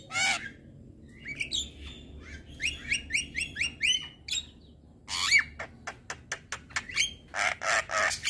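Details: A male Javan myna sings to rouse other mynas: a loud rasp, then a run of rhythmic upslurred whistled chirps, followed by dense bursts of grating squawks and clicks.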